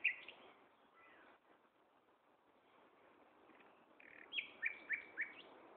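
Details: Nightingale song from Gaasperzoom, 16 May 2012, mid-afternoon at 15:30: a pause with scattered faint notes, then four sharp, loud, evenly spaced high chirps in quick succession.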